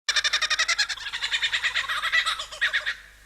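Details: A male lyrebird mimics a camera shutter as part of his song to out-sing rivals: a fast mechanical rattle of about ten clicking pulses a second for roughly three seconds.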